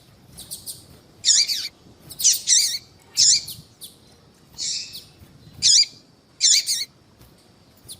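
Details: Female yellow-bellied seedeater calling to attract males, heard by caged males before contests: loud high, buzzy chirps repeated roughly every second with short pauses.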